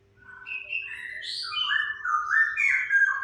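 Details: Orange-headed thrush song played as a lure for birds that have stopped singing: a continuous run of varied warbled and whistled notes, mostly mid-pitched, slurring up and down, with a faint low hum beneath.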